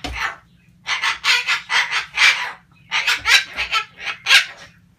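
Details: Captive male sulphur-crested cockatoo on a rant, pouring out loud, grating syllables in two rapid runs of roughly six to eight each, divided by a brief silence.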